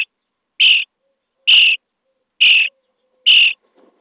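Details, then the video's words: Nestling common starlings being fed in a nest box on day 23 give four loud, rasping begging screeches, spaced just under a second apart, with near silence between them. "Szpaki w budce dzień 23 - karmienie piskląt"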